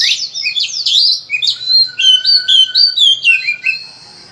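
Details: Oriental magpie-robin (kacer) song used as a training track to prompt other birds to sing: loud, continuous run of varied whistles and rapid chirps, sliding notes and a steady lower tone, many phrases per second.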